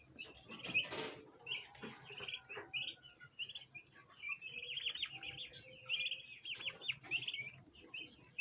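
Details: Domestic bronze turkey poults, a group fed natural feed, crowd around a planter basin wanting to eat. Steady streams of high, slightly wavering peeps overlap almost continuously, with a brief rustle near the start.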